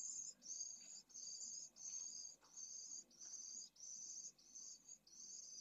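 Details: In Jerez de la Frontera, Spain, pallid swifts nest in a school colony while temperatures exceed 45ºC. Shrill buzzy trills come in longer bursts of nearly a second, separated by brief pauses, over a soft hiss.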